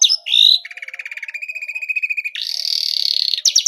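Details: Canary song in the cengkok style favoured by contest judges: a swooping whistled opening, then fast even trills, a low rattling run, and a dense buzzing roll, each phrase switching abruptly to the next.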